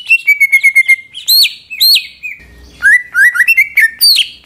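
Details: Greater green leafbird lure song meant to stir other leafbirds: a fast, even trill of repeated notes, then loud swooping whistles and a bright jumble of slurred phrases.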